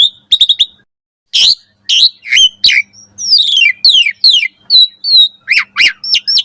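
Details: Asian pied starling singing vigorously in the morning as a tutor for caged starlings. Clicks open the phrase, then harsh squawky notes give way to falling slurred whistles and a row of sharp hooked whistles.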